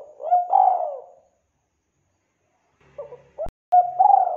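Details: Spotted dove recorded for use as a trapping lure. It gives clear, mellow cooing phrases with short rising and falling notes, then a silence, a faint click and a second burst of cooing.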